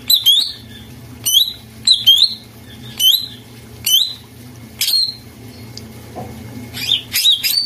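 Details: Greater green leafbird (cak ijo), used as a lure to restart a quiet bird's singing: short sharp chirps that bend upward, repeated about once a second, over a low steady hum.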